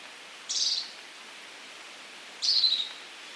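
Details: Scaled Antbird recorded in Brazil: two short, high, buzzy notes roughly two seconds apart, each a dense rasping burst slightly falling in pitch, over quiet background hiss.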